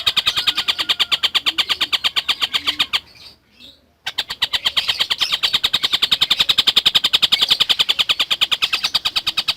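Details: A very active collared kingfisher, used as a tutor recording for lovebirds, gives a fast, steady stream of harsh, high repeated notes, several each second, broken once by a brief near-silent gap.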